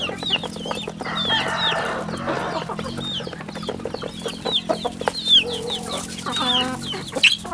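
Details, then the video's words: A flock of chicks on a rural farm peeps loudly and constantly, with shrill falling notes crowding together, over a faint low hum and some rustling. "Good chicks sounds in the farm"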